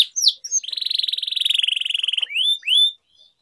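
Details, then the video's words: Long rolling trill from a vigorously singing canary on a training recording, a steady pulsed buzz lasting well over a second, framed by short rising whistled notes. "Canary Singing Training, Kenari Gacor Ngerol Panjang"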